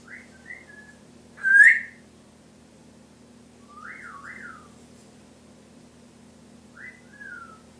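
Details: A pet Timneh African grey parrot, which mimics a poodle's barking, a guinea pig, laughter, alarm-pad beeps and a cat, runs through mimicked whistles: short rising and falling notes, a sharp loud squawk, then paired swooping whistles, over a low indoor hum.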